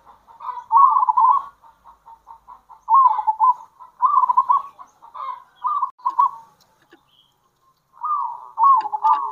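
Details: Zebra dove (local bird) in lively kerot and bekur calling meant to lure others of its kind: a series of short, rolling, gurgling coo phrases repeated every one to two seconds, with brief pauses.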